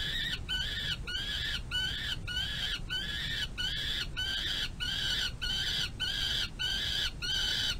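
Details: Young peregrine falcon eyass on a nest-box runway on May 25, 2022, at the tail end of a feeding by its mother: harsh, grating harmonic screams repeated about twice a second in a steady run, over low rumbling background noise.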